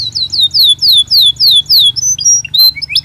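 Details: Belgian canary singing naturally, used to train other canaries to sing: a run of clear descending whistled sweeps, about three per second, then varied short high notes and trills, over a low steady hum.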